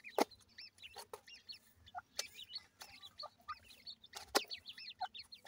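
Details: Grey francolin chicks at feeding time peep constantly in high, wavering chirps, many close together. Loud, sharp clicks and knocks break in now and then.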